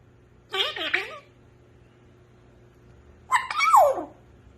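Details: African grey parrot talking in a small room: two speech-like phrases about three seconds apart, the second ending in a squeaky whistled glide falling sharply in pitch.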